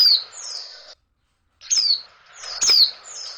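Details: A female oriental white-eye gives high, sharp downslurred whistles, a call to arouse males; a loud note, a brief silence, then two more falling whistles.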